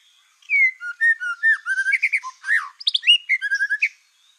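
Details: Black-tailed white-rumped shama song used as a provoking lure for other shamas: a rich, continuous warble of clear whistles, slurs and short trills across about three and a half seconds.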